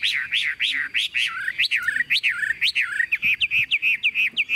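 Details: Swinging caged Chinese hwamei in strong song: a string of loud, looping whistled notes about four per second, ending in quicker, shorter repeated whistles.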